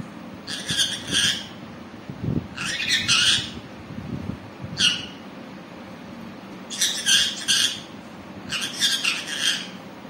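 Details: Green parrot talking: five loud, raspy, broadband bursts, some doubled, at uneven intervals over ten seconds, with faint low room noise between them.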